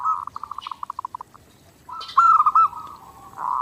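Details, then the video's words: Clear zebra dove master song for daily training: about a dozen rapid cooing pulses slowing to a stop, a quiet gap, then a louder warbling trill and a sustained purring coo. "SUARA PERKUTUT GACOR NONSTOP | MASTERAN PERKUTUT JERNIH UNTUK LATIHAN HARIAN"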